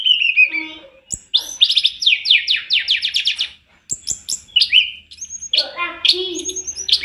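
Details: Tledekan gunung in a training master recording, singing energetically with varied fillers: a descending whistle, a rapid series of sweeping chirps, then a brief pause and mixed whistled and buzzy phrases.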